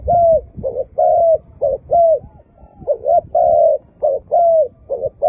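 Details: Malay zebra dove singing a fast, staccato run of mid-pitched coos: short, clipped notes alternating with slightly longer, level or gently falling ones, about ten notes in five seconds, over faint low background rumble.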